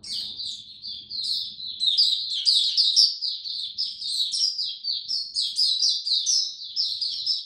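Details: Oriental white-eye, a kept songbird during cold rainy weather with adjusted diet, 8 October 2022; unbroken, lively high twittering of quick descending and trilled notes throughout, loudest in the middle, faint hum behind.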